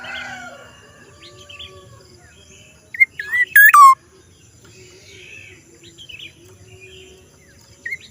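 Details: Black-naped oriole producing a strange call once: short whistled notes, then a loud harsh burst sliding into a falling whistle, with soft calls of other birds before and after.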